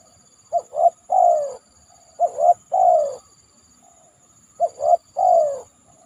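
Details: Following heavy rain, a spotted dove at a banana trunk coos in three-note phrases, two brief rising notes then a longer falling one, three phrases about two seconds apart, a thin constant high tone in background.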